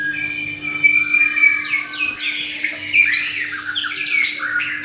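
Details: Caged bird singing a busy mix of high chirps, sweeping whistles and short trills, with a steady low hum and background noise throughout.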